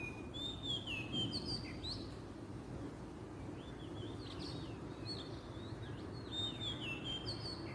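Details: Wild Oriental magpie-robin in Southeast Asia giving a varied whistled song, sweeping slurred notes high and low, with short twitters in quick succession, over constant low-pitched environmental rumble.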